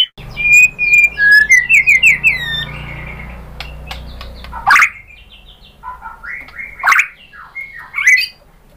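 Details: White-rumped shama lure song to prompt other shamas to join in: a run of quick whistled notes at the start, then sparse sharp clicks and brief chirps over a low hum.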